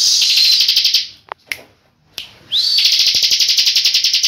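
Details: Tame pet bar-winged prinia singing steadily in the continuous 'ngebren' style: two long, loud, buzzy trills of rapid pulses, about four a second, split by a short quiet gap with a few faint clicks.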